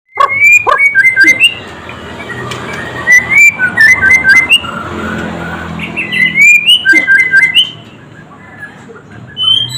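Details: White-rumped shama singing in full vigour: loud clear whistled phrases of rising and falling notes, delivered in bursts separated by short pauses, with sharp clicks and harsh ticks between phrases.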